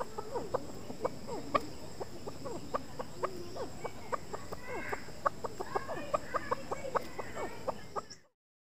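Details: Chukar delivering a long, steady series of sharp clucking notes, roughly three to four a second, mixed with some slurred falling notes and a brief higher chattering passage near the middle, before sudden silence at the end.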